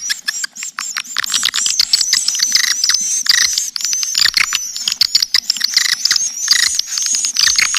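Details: Swiftlet calling track for drawing in swiftlets: dense, busy chatter of overlapping clicks and twittering chirps beneath a steady thin high whistle, continuous with only brief gaps.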